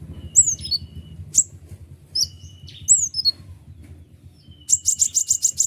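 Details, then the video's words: ['White-winged triller song, used as a training recording for lazy sunbird and triller singers, with long ngeriwik phrases: sharp high chirps and downslurred notes in spaced bursts, ending in a rapid run of about eight clipped repeated notes; low hum beneath.'] "konin sayap putih unik full nembak rapat tajam suara jelas paling bagus untuk masteran kolibri ninja"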